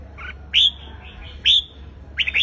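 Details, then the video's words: Red-whiskered bulbul in competitive song used to rouse a wild-caught bird: three loud, short, slurred whistles roughly one second apart, a softer faint note before the first. "Chào Mào Hót Đấu - Kích Chào Mào Bổi Ra Âm Sổ Bọng Hót Đấu Căng Lửa - Chào Mào Hót Sáng Ché Căng"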